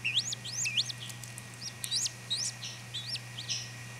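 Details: Newly hatched chachalaca chicks peep with thin, high, rising notes, several overlapping, repeated quickly through the clip over a low steady hum.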